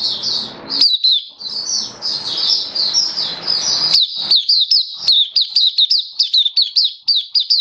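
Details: Kitaro Oriental white-eye kept in a cage, seventh day of a song booster test, 27 October 2022: a high thin warble over broad hissing noise, then a clean run of quick, sharply downslurred twitters repeated rapidly.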